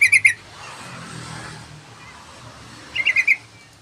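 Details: Yellow-vented bulbul song in a noisy setting: a short bubbly phrase at the start and another of four chirps near the end, with a passing vehicle's rumble and a murmur between them.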